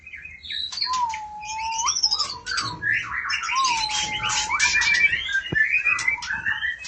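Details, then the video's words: Female oriental magpie-robin calling for the male, with low drawn-out whistles that sag and then flick upward, repeated twice, set among squeaky high notes, rasping chatter and a dense tangle of whistled phrases. "burung murai betina memanggil jantan"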